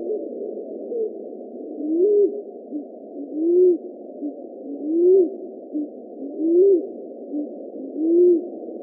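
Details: Pigeon cooing: soft, low, hollow coos, each rising then falling, repeated about every one and a half seconds over a steady hiss.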